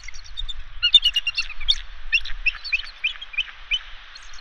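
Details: Bald eagle pair at the West End nest, Catalina Island, changing places while incubating eggs; a fast run of sharp, high piping notes repeated about three times a second, slightly falling, over faint low rumble.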